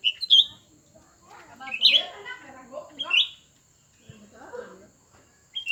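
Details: A new and an old cucak ranting face off in a contest between two birds. Quick, bright chips repeat at irregular intervals among softer warbled, chattering notes and a faint steady high whine.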